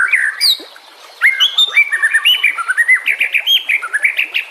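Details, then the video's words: A White-rumped shama in a master recording made to teach other songbirds opens with a loud whistle, pauses, then delivers a rapid, evenly paced string of bright rising and falling notes. "Suara kicau burung murai batu"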